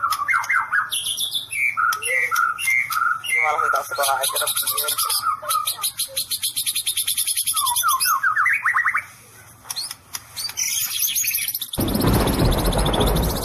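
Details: White-rumped shama singing "sambaran listrik" (electric strike) style: pure whistled notes repeated in quick pairs, rattling trills and a high metallic chatter, a short pause, then a loud burst of rushing noise at the end.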